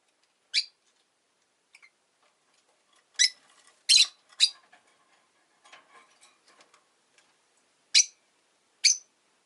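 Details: Rosy-faced lovebird at home giving scattered shrill, scratchy chirps, a cluster of three loud calls near the middle and two more toward the end, with soft clicks and rustles between.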